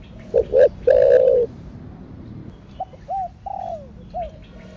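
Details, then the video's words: A spotted dove coos thổ đặc thúc kích bổi: two clipped notes and a strong, harmonic-rich held coo, then after a gap a softer sequence of arched and falling notes. "Cu gáy THỔ ĐẶC THÚC Kích Bổi . ( THỔ SẤM )"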